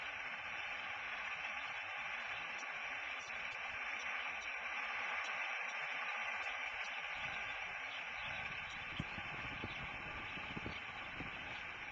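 Steady broadband hiss and static fill the recording, with a few faint low knocks near the end and no animal voice.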